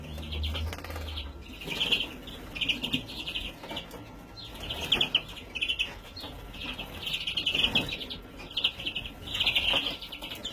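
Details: Young European greenfinch in 2017 giving a series of rough, buzzy chirp bursts spaced about a second apart, with low thumps and rustling noise underneath.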